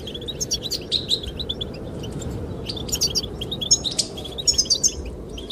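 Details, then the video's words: Chirping goldfinches, singing to attract a female, give scattered high tinkling notes and quick twitters, some bursts clustered near the middle and end, over constant wind noise. "the chirping of goldfinches"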